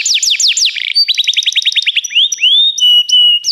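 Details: Canary singing a training song: a series of fast falling whistles, a rapid stuttering run of short notes, then smooth rising and level pure whistles with sharp high chips.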